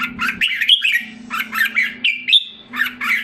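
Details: Red-whiskered bulbul kept caged in Singapore, in recovery after moulting, gives quick warbled chirps and a couple of clear upslurred whistles in short bursts, a steady low hum beneath.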